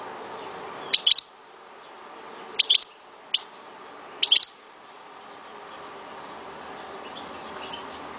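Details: Algerian European goldfinch kept at home in Souk Ahras, uttering four quick clipped bursts of high tinkling chirps in the first half, then only background hiss and hum.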